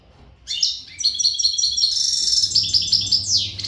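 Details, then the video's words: Untutored al-Gharb European goldfinch in full readiness song: a strong, continuous run of bright, tinkling high notes and fast liquid trills ending in a downslurred flourish, with faint low hum in the background. "تغريد الحسون"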